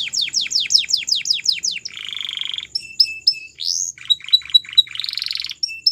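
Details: Belgian canary singing a series of about ten falling slurred notes, then a buzzy rolling phrase, followed by clipped whistled notes.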